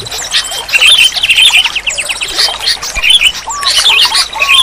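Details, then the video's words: Sooty-headed bulbul song meant to coax a silent bird into singing. Rapid chattering, warbled phrases follow one another closely, with quick trills and a few lower slurred whistles near the end. "Terapi Burung Kutilang Macet Bunyi || Kutilang Malas Bunyi Langsung Gacor"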